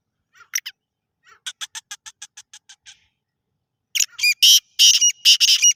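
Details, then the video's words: Black francolin: a quick run of about ten dry, clicking ticks, then a burst of loud, grating, buzzy notes at the end. "کالا تیتر کی آواز"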